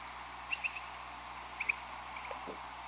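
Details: A big group of Upland Sandpipers migrates over a house around 2 a.m. on May 13, coming from the distance, passing loudly overhead, then fading. They give short, high, clipped double notes, two quick pairs about a second apart, over steady hiss.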